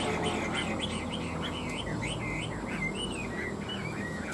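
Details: Competitive fighting song from a tame Chinese hwamei kept three years in a cage: repeated slurred, bouncing whistled notes, several per second, partly masked by a broad hum and hiss.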